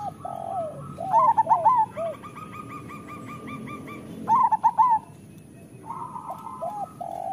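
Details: Perkutut, a local zebra dove, in a master recording to make doves sing sooner: a rolling phrase of quick coos, a pause with faint repeated notes, then another phrase. Lower soft coos and flat tones fill the gaps.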